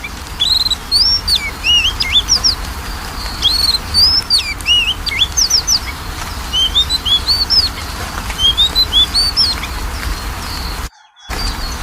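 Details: Magpie-robin song played as a lure for a reluctant singer: a long run of loud, varied whistled phrases, sharp upslurs and looping notes, nearly continuous with short gaps, briefly cut to silence near the end.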